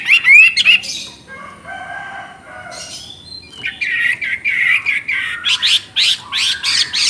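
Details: Hwamei (wambi) singing busily: a quick burst of bright rising whistles, a softer stretch of lower notes, then a long string of loud, clipped whistled notes repeated rapidly to the end.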